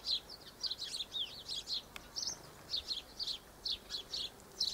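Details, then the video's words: Double-barred finches (Taeniopygia bichenovii), filmed 1 December 2013 in hot sun, give a steady stream of thin, high chirping calls, about three a second, over a faint background hiss. "Double-barred Finches"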